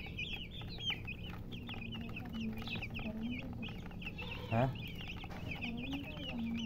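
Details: Chicks cheeping busily: rapid high, downslurred peeps overlapping throughout, with a brief low cluck partway and steady low background hum.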